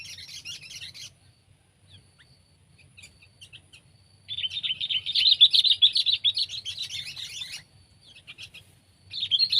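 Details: Sooty-headed bulbul (kutilang), Pycnonotus aurigaster, from Indonesia, where it is common on Java, in a pet-versus-wild comparison: a brief chattering burst, a pause with scattered chirps, then a long dense run of high twittering notes that stops and restarts.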